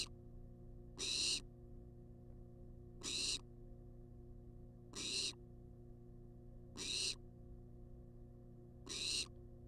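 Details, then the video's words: Wild barn owl on a research nest-box cam, begging for food with five evenly spaced harsh hisses, one every two seconds, each brief and breathy, over a constant faint hum. "Barn Owl Demands Food For 14 Minutes Straight"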